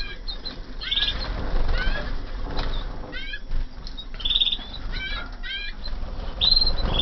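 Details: Several canaries from 2014 in a flight aviary sing clear whistled trills and repeated fast up-slurred notes in bursts, over constant wing flapping and low rumbling noise.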